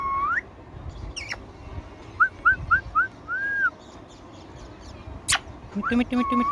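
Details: Indian ringneck parakeet, a talking pet parrot, gives an opening rising whistle, a sharp click, then four quick upturned chirps and a longer arched whistle. It ends in a cluster of buzzy, speech-like syllables.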